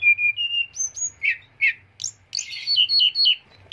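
A lark sings a quick, varied run of high whistles, sharp chips and buzzy trills, shifting pitch every few notes with barely a pause.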